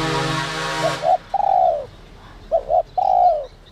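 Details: Spotted dove, whistle-voice ('giọng còi') type meant to rouse wild doves: a loud broad noise first, then two phrases of paired short notes and a long descending coo.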